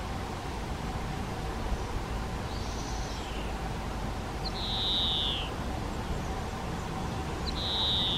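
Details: Collared flycatcher at a garden nest box in breeding season: thin, high whistles slide downward, each about a second long and a few seconds apart, over a steady low rumble.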